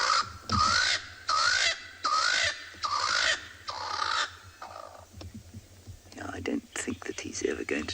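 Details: Swainson's spurfowl on a South African private game reserve, afternoon of 23 June 2020 (winter), gives five harsh, grating crows about every three-quarters of a second as a territorial call, then a person starts talking.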